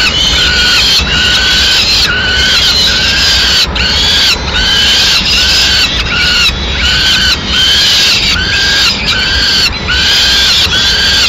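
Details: Peregrine falcon at a Madrid nest, 6 May 2016, as the female arrives with a pigeon; a long series of short, strained, harmonic wails, about two per second at times, over constant background hiss.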